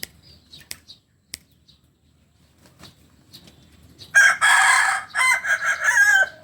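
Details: ['Native Solok Kukuak Balenggek chicken: after about four seconds of near quiet with faint clicks, a loud, harsh, broken crow bursts in and runs in several choppy segments to the end.']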